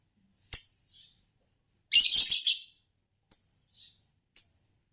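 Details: A Green Fischer lovebird, a type known for long songs and champion of Indonesian song competitions, gives three shrill, sharp chirps, each followed by a softer, lower peep, with a harsh, scratchy burst of chatter in the middle.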